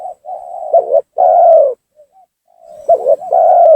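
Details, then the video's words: Spotted dove coo used to lure rival doves down during trapping: a low steady hum-like note, a stuttered double coo, a long full coo, a brief pause, then the pattern starting again. "suara pancingan gacor tekukur memaksa menurunkan lawan,bikin emosi lawan."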